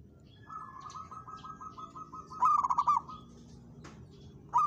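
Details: Local zebra dove singing in challenge to a rival: a long steady run of soft rapid trilled coos ending in a louder accented rolling phrase, then another loud note begins.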